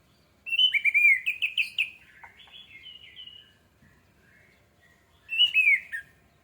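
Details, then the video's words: Orange-headed thrush song used as a lure to prompt singing. A loud run of fast, looping slurred whistles fades into soft mid notes, then another bright looping phrase returns after a short pause. "PANCINGAN ANIS MERAH MEMICU CEPAT BUNYI DAN GACOR!"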